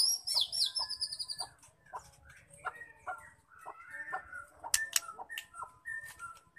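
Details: Female white-rumped shama singing to stir males into song: a busy mix of fast high chattering notes and short whistled phrases, with softer quiet stretches between bursts.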